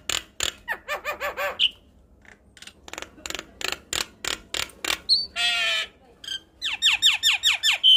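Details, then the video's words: An adult Javan myna in full, vigorous song, used as a tutor recording for young birds, gives a varied, energetic jumble of harsh squawks, dry rattles, clicks, a buzzy churr and sharp whistled notes in quick succession. "Suara Khas Jalak Kebo Makun Gacor"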